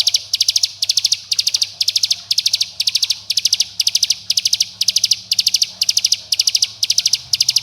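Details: Dense 'bren' song of a bar-winged prinia, summoning friends and riling rivals to set young birds singing: steady run of high chip clusters, each of four or five notes, repeated about twice a second throughout.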